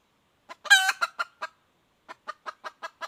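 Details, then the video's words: Wild red junglefowl hen calling, recorded 2021: a clipped cluck opens a loud raspy squawk trailed by three fading clucks, then after a silence a steady run of six short clucks at quick even intervals. "suab poj qaib qus tsauj dib tuaj zoo"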